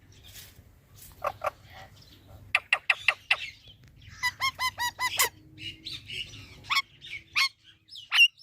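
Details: Green parrot at home making talking sounds: sharp clicky notes, a quick series of short harmonic chirps and scattered squeaks over a faint low hum.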